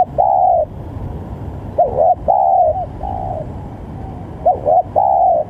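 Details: Spotted dove giving a lively call used to provoke rival doves into answering; soft, hollow coos in short phrases, a brief coo followed by longer drawn-out notes, repeated after pauses, over a faint low background rumble.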